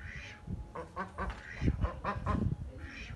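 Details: Several ducks bathing in a small pool give short, nasal, harmonic quacks in quick irregular bursts, some doubled, over low background rumble and faint splashing.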